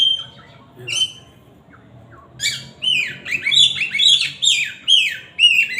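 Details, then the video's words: Magpie-robin singing loudly: after a few scattered high notes, a rapid run of sharp, slurred whistles and squeaky chips repeated about twice per second, with quiet gaps between bursts. "siulan kacer ini kenceng"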